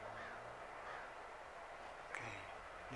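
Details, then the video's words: A great blue heron, filmed May 5, 2021, gives harsh, hoarse, crow-like squawks over a steady background hum, with a sharp click near the end. "Great blue heron"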